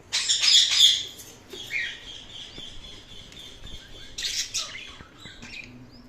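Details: Indian ringneck parakeet giving loud harsh screeches at the start, a steady whistled tone trailing after, then another burst of rasping squawks and short chirps.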